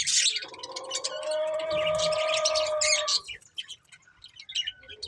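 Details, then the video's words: Budgerigar breeding pair chirping: a sustained warbling phrase with steady tonal bands lasts about three seconds, followed by softer scattered high chirps. "Colourful Budgies Chirping Sounds | Love Birds Breeding Pair"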